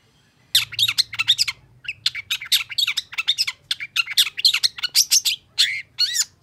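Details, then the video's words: Long-tailed shrike in excited song toward a rival: fast, chattering bursts of harsh, buzzy notes and clipped whistles, ending with a couple of clear downslurred whistles. "KICAU CENDET GACOR EMOSI CEPAT DI RESPON PENTET LAWAN"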